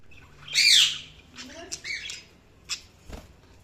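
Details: Budgerigars chirping: a loud, harsh squawking burst at the start, then softer scratchy chirps and short warbled notes, with a single sharp click near the end.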